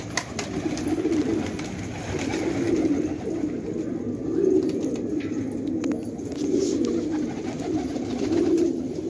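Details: Fighting tumbler pigeons kept at a home in Afghanistan, giving low, rolling coos that swell and fade in repeated phrases every couple of seconds, with a steady hum and faint clicks behind.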